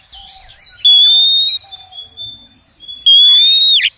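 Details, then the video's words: Female oriental magpie-robin calling to males: a long sustained clear whistle, a quieter stretch of soft chirps, then a second long whistle ending in a sharp downward twist. "SIULAN KACER BETINA MANGGIL JANTAN"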